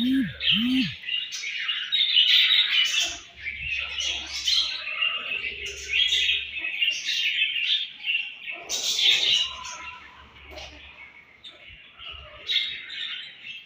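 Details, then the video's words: Budgerigars chirp as they eat: a steady, busy chatter of high warbled notes and short squawks from a group of birds, with brief low sounds near the start. "Budgies Eating And Chirping Sounds"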